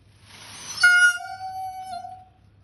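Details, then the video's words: Indian peafowl: a dancing peacock gives one loud, nasal, drawn-out wail of about a second and a half, led in by a rough rasp, over a faint low background hum. "Peacock dance with natural sound"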